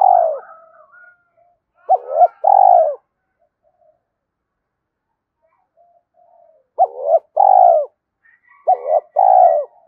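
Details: Spotted dove cooing: three bursts of low, mellow, hollow coos about three seconds apart, each a short stuttered note followed by a longer drawn-out one, with quiet gaps between.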